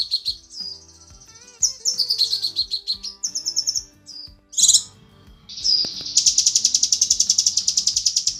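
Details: Female cucak kinoi calling the male: varied high whistles and chirp runs, a loud harsh burst, then a fast dense trill of ringing notes, with faint low background tones.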